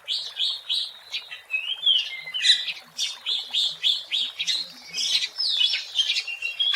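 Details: Oriental magpie-robin singing in the wild, its song meant as a lure: a fast, varied run of short whistled and buzzy notes, about a hundred per minute, with slurred whistles between.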